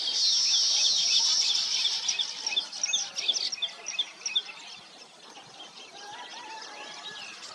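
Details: Busy weaver birds nesting, a loud sizzling buzz and rapid chirps in the first half, then quieter scattered calls as the chorus thins.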